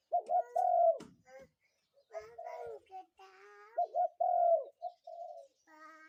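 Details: Morning cooing of a spotted dove, two phrases of short stuttered notes followed by a long low sliding coo, separated by a stretch of human voices and softer sounds.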